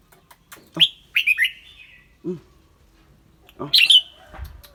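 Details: Clear-voiced caged red-whiskered bulbul singing and chattering: loud sharp whistled notes in a quick pair, then a bright burst near the end, with a man's low hums between phrases.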